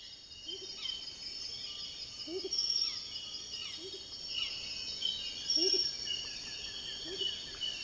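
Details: Amazonian motmot (Momotus momota) perched in the southern Peruvian Amazon at Tambopata, Madre de Dios, giving soft, low doubled hoots every couple of seconds beneath a steady shrill insect chorus, with other small birds chirping.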